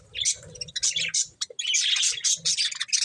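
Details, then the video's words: Budgerigars eating corn make clipped, high, buzzy chirps in quick clusters, with soft low thumps beneath the chatter. "Cute Budgies Enjoying Eating Corn | Love Birds Chirping Sounds"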